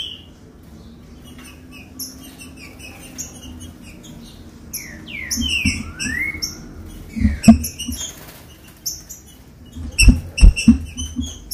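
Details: Green-winged saltator song meant to stir captive birds into singing: sparse high chirps at first, then a few slurred rising and falling whistles midway, followed by clattering knocks and more high notes.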